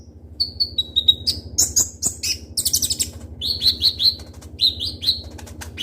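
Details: Ninja sunbird (konin) in full song, used to train other birds: series of clear repeated whistled notes, some descending, broken by dense high buzzy trills and rapid chirps.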